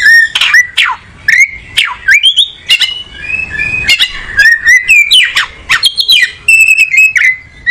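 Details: Oriental magpie-robin looking for a good perch, delivering a rich, continuous song of sweet slurred whistles, abrupt downward swoops, harsh clicks and rapid chattering notes repeated in quick succession.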